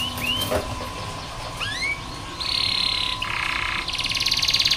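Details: Canary tutor song played to stimulate reluctant young canaries: scattered rising chirps, then long buzzy rattling rolls at different pitches, heard over a constant low hum and background noise.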